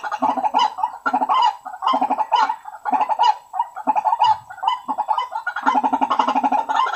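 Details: White-breasted waterhen calls used as a lure to draw waterhens together: loud, harsh, croaking notes given in rapid bursts, each burst a cluster of rough clucks, with short pauses between bursts.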